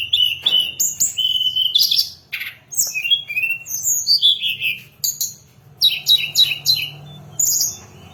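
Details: Song of the hill blue flycatcher used to lure and train birds: varied whistled phrases, slurs and quick chirps in a busy, continuous sequence with a soft low hum beneath.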